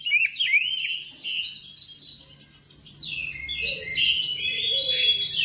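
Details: Kacer, the Oriental magpie-robin, delivers quick whistled and twittering phrases, a fast burst of rising slurs opening the clip, a quieter lull in the middle, then a long stretch of bright warbling notes.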